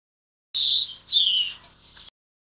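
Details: Grey-headed oliveback, a bird of central and southern Africa: one short high phrase, a bright whistled note gliding down, then a second falling whistle and a few thin squeaks, on a silent background.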